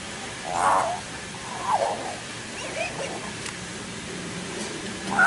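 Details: Young common hill myna (Gracula religiosa) learning to talk: four soft, mumbled, speech-like phrases about a second apart, with a few higher squeaky notes between them.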